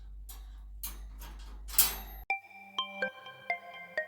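Soft rhythmic music gives way to bright, sustained mallet-like tones forming a simple melody.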